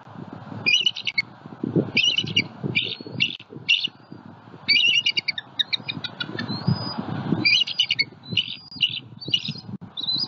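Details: Wild bald eagle pair at their nest in Southwest Florida, calling alert at a juvenile eagle flying over the nest tree while protecting their eaglet; bursts of high, shrill chittering squeals in clusters, with low rumbling background noise.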